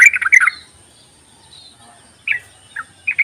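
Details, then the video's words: Yellow-vented bulbul calls, intended as a lure for bulbuls that won't sing: a short, loud, tumbling burst, a long silence, then three separate brief chirps. "ropelan dan panggilan burung trucuk ini sangat memikat bagus buat pancingan trucuk malas bunyi"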